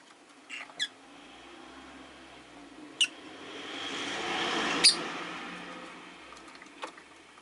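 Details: Rosy-faced lovebirds, five kept in a cage by a window, give a few sharp, high chirps spread across several seconds while a low traffic swell rises and fades in the background.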